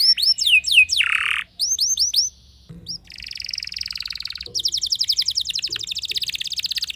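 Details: Canary song aimed at provoking other canaries: quick downslurred whistles, a harsh buzz, a pause with faint low sounds, then a buzzy sustained tone and a fast high trill.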